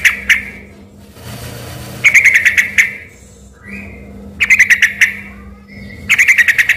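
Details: Lively yellow-vented bulbul song that had people thinking of a white-rumped shama: quick runs of sharp, ringing notes in bursts about every two seconds, with a constant low hum and a faint rising whistle between phrases.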